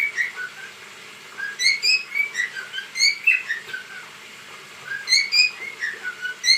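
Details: Dancing cockatiel gives clear whistled phrases of chirping notes, rising and dropping in pitch, repeated in three bursts with brief quiet spells.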